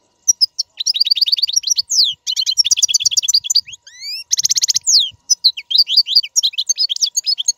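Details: Strong European goldfinch song meant for tutoring caged young birds to sing: a continuous fast stream of high tinkling notes and trills, with a few rising slurred whistles and a brief buzzy burst in the middle.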